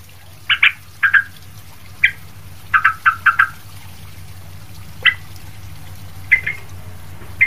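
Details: Noisy Sooty-headed bulbul used as a model for other bulbuls, giving bursts of short chirps, pairs and a quick run of four, separated by brief pauses, against a soft background hum.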